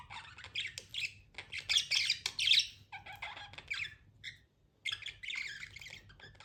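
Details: Pet budgie giving rapid, harsh, squawky chirps in dense bursts, a brief pause, then another scratchy burst.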